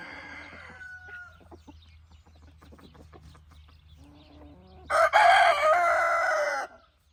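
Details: Evening with roosters and hens scratching: a faint, far crow opens, scattered clucks and ticks follow, then a near rooster gives a loud, coarse crow of almost two seconds with a steady drawn-out ending.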